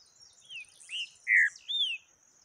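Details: Taquara rachada style song of a yellow-bellied seedeater: four clear whistled slurs, mostly descending, the loudest a drawn-out falling note, delivered about every half second over a thin steady high hum.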